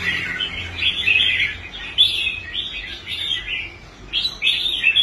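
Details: Red-whiskered bulbul in a cage on the competition stand, recovered after once refusing to compete: lively chattering warbles in quick phrases, a short pause, then a fresh burst of sharp whistled notes.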